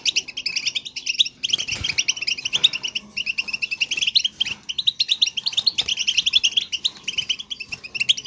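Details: Goldfinch singing, a recording for prompting another goldfinch to sing: fast, unbroken stream of bright, liquid twittering notes, high and jangling, with only one brief gap.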